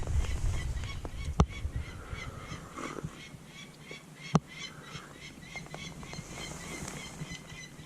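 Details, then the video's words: A possible Peregrine Falcon gives a harsh, rapid kek-kek-kek call, about four notes a second, over steady wind rumble, on Kinder Scout's northern edge in the Peak District; a viewer suggests an alarm call, one bird flying along the edge. "Sounds like a Peregrine Falcon alarm call."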